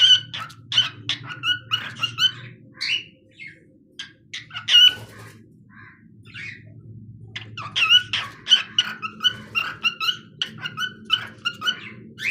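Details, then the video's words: A pet cockatiel sings indoors: bursts of chirpy, warbling notes with stacked harmonics, grouped in two runs separated by a quiet spell around the middle, with a low steady hum underneath. "Adorable Cockatiel Candy being Super Cute while Singing"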